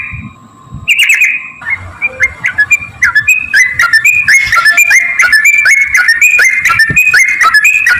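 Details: Yellow-vented bulbul with a long 'ropel' fighting song intended to provoke replies: after a quiet start, whistled, slurred notes rise and fall in an irregular chain with crisp clicks between them, growing busier toward the end.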